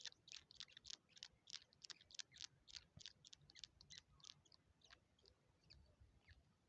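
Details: A Rufous treepie feeding its young gives a rapid run of harsh, raspy, high-pitched notes, about three each second, fading and thinning toward the end.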